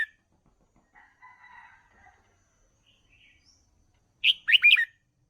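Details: Red-whiskered bulbul song played for training young birds: after faint, soft background notes, one loud bubbly phrase of four or five quick slurred whistles near the end.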